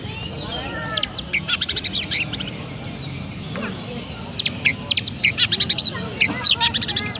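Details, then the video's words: Oriental magpie-robin, a kept bird from Pemalang, Central Java, Indonesia, sings in 'rasa gereja' style: after a quiet start, stuttering bursts of dry chirps and rattles follow each other closely, with faint background hum. "Burung Kacer Rasa Gereja Mantap!!"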